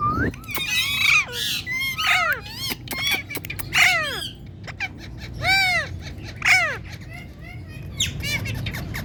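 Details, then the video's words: Indian ringneck parakeet, a talking pet bird, calling with loud arching squawks roughly every second or two, mixed with buzzy chatter and short clipped notes throughout. "Raw Talking Parrot super cute Ringneck"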